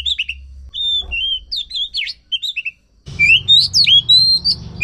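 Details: Oriental magpie-robin song used as a lure to prompt a silent bird to sing: varied whistled phrases and rising and falling notes, pausing briefly midway before resuming with louder sweeping whistles over low background hum.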